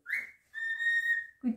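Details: Indoor cockatiel wolf whistle: a bright rising note, then a long flat sustained whistle, ending in a short low voice-like sound.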